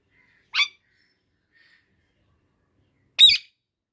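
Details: Indian ringneck parrot giving natural calls: two harsh, raspy screeches about two and a half seconds apart, the second louder and broader, with silence between them.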